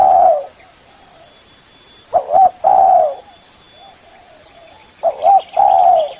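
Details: Spotted dove lure call to draw a rival, phrases of two clipped coos and one drawn-out coo, repeated every few seconds, faint cooing from a second dove between them.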